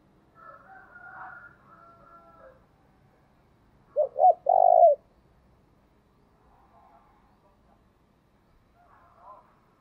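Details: Spotted dove, thổ-voice call used to excite wild doves: a soft hoarse murmur, then a burst of two quick low coos and a longer rolling coo, with quiet pauses and faint murmurs afterward.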